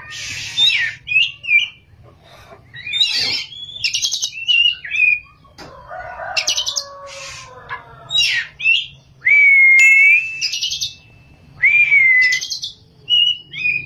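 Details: Oriental magpie-robin singing strongly in ngerol and nembak styles: fast varied phrases of clicks, buzzes and slurred whistles, including long sustained pure whistles, over a faint low hum.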